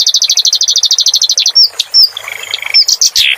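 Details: Singing clamorous reed warbler on a master recording for cage songbirds; a fast uniform chirping trill gives way to scattered clear whistled notes and softer, lower twittering.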